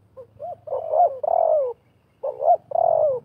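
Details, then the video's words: Wild and decoy spotted doves clash in a cooing duel, set up with a half-circle trap arrangement. Soft clipped notes lead into long, level-then-falling coos, two phrases in quick succession over a faint low hum. "TERKUKUR LIAR DAN PIKAT BERADU/BERLAGA HEBAT"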